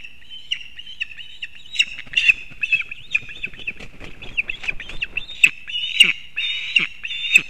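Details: Female osprey bringing fish to her chick at a nest in Kurzeme, Latvia, on 31 August 2024: a busy series of short, sharp, high chirps and squeals, some overlapping, with faint rustling between notes.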